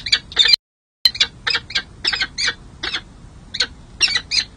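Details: Peregrine falcon chicks at a San Jose city hall nest, caught by nest camera during hatching and their first feeding in May 2024; short high rasping chips repeated several times a second, with a brief gap.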